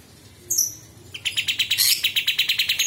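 Sooty-headed Bulbul: a brief, very high whistled phrase, then a fast, bright chatter of repeated notes, about six a second.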